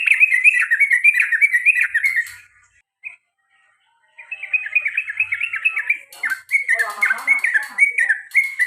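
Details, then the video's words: Sooty-headed bulbul calling in the repeated long-trill ropel panjang and garuda styles. Bubbly warbled notes run in quick succession, fall silent for about two seconds, then resume with a rougher, lower chatter toward the end. "CUK CUK CUK TRUCUKAN ROPEL PANJANG DAN GARUDA BER ULANG - ULANG"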